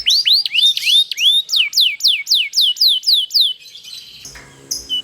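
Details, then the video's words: Canary long rolling song used to set other canaries singing: rising whistled loops, then about ten clear downslurred notes at an even pace, fading into soft trills and a faint buzz. "GACOR ngerol panjang banyak burung kenari cepet ikut gacor dengan suara kenari gacor ngerol panjang"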